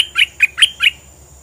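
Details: Bulbul in a cage, plumage fully grown, utters four short bright chirping notes spaced evenly in under a second.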